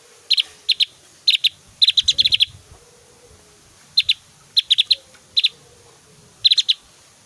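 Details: Javan grey-throated white-eye in strong song, with varied whistles and very loud bursts, suited for tutoring young birds, gives short bursts of high, sharp chirps in quick doubles and triplets, pausing between phrases over a faint low hum.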